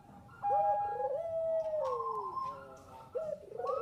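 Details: Bangkok zebra dove song used as a lure: a quiet, drawn-out coo sliding gradually downward, overlapped by rising rolled notes and a faint hiss in the background.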